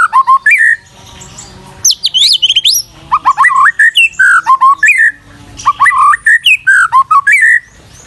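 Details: Masteran tutoring recording of white-rumped shama song: loud, rich, varied whistled phrases with looping slurs and bright high flourishes, delivered in bursts separated by brief pauses.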